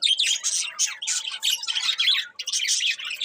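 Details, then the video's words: Budgies chirp in a dense stream of rapid, rasping, warbled notes, nearly unbroken apart from one short pause. "Cute Budgies Chirping Sounds"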